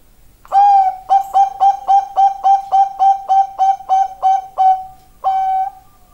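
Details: Zebra dove from Bangkok singing: a clear run of about fourteen short, evenly spaced coos, repeated several times a second, ending in a longer drawn-out note after a brief pause.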